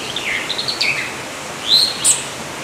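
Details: Yellow-olive flycatcher (Tolmomyias sulphurescens): a couple of faint thin notes, then two louder high, rising whistled calls near the end of the short excerpt, against soft natural background noise.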